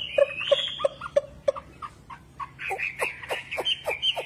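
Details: Wambi singing energetically, with a run of five evenly spaced clear whistled notes, then varied short fluty phrases and a series of sharp descending strokes.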